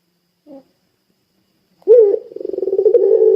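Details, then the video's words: Puter pelung dove beginning to coo after a brief soft note and a pause, intended to encourage other doves to join in: a sudden onset settling into a steady, rippling, pulsed low coo. "Suara Burung Puter Pelung Gacor Bikin Puter Pelung Langsung Ikutan Gacor"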